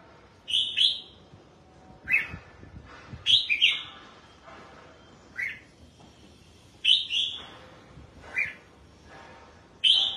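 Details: Red-whiskered bulbul song from a kept bird during bathing and sunning: short, loud, bubbly whistled phrases of two or three notes, repeated every one to two seconds over a quiet background.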